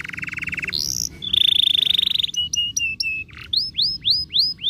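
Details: Canary song meant to get canaries singing and rolling: rapid trills at changing pitches, steady whistled notes, then a run of rising-falling arched whistles repeated about every half second.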